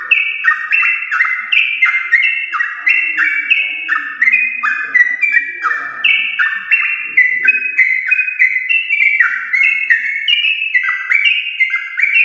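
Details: Champion-lineage Yellow-vented bulbul singing continuously as a prompt for household bulbuls: an unbroken cascade of whistled notes, each dropping in pitch, repeated rapidly for over ten seconds, with faint low sounds beneath.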